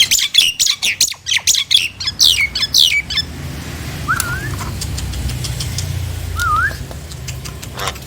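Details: Nias hill myna calling to prompt other mynas to sing: a rapid run of sharp, loud harsh notes for about three seconds, then two soft twisting whistles over quiet background hum.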